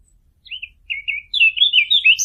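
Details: Fig bird call used as a hunting lure: a few short downslurred chirps, then a quick run of buzzy, twittering notes rising toward the end. Clean, with no other sounds.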